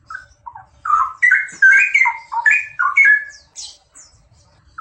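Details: A straw-headed bulbul pair pours out a rapid, gurgling, mellow song of rich whistled notes swooping up and down, about three notes a second, ending with thin high squeaks.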